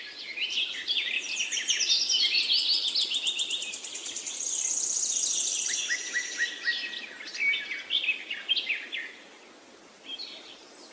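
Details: Birds chirping in a dense, overlapping chorus of high, fast trills and sharp twitters, with a long buzzy rattling trill in the middle and quick repeated notes, fading somewhat toward the end.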